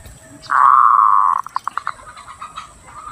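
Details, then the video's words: Zebra dove sound for luring and stimulating breeding: a long drawn, steady cooing note of about a second, followed by a string of short pulsed notes that fade away. "PIKAT PERKUTUT ‼️ Suara Jernih Ampuh Buat Pikat & Masteran Perkutut Untuk Merangsang Birahi"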